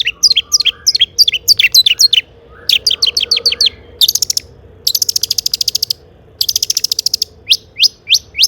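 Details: Long-tailed shrike in lively, phrase-filled song to draw other shrikes into singing: clusters of downward-sliding whistles, then dense buzzy rattles in long blocks, ending with single falling whistles.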